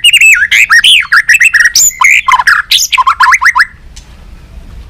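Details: Trained White-rumped shama, tail flicking, delivering competitive song: fast stream of loud whistled phrases about four per second, looping up and down, ending abruptly in quiet.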